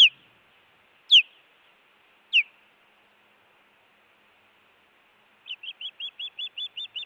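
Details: At a Montana Project osprey nest with an intruder present, 16 June 2017: three loud, falling whistled yelps about a second apart, a pause, then a steady run of around ten quick high chirps.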